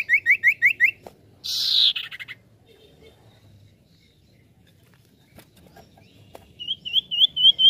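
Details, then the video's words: Common iora song used to lure birds: a quick series of high trilled notes opens, a harsh loud burst follows, then after a quiet gap a fresh run of wavering high trills begins. "Sekali putar Burung cipoh langsung nyaut"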